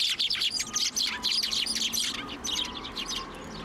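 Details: Sparrows being hand-fed at a Tenmangu shrine on 1 January 2024; thick overlapping chirps at the start thin out and grow softer toward the end.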